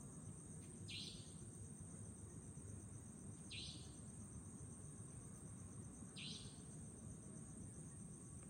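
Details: A savanna nightjar in Chunghsing New Village, Nantou, Taiwan, on 11 April 2018 gives three sharp, buzzy 'tchweep' notes about every two and a half seconds over a steady low rumble of background noise.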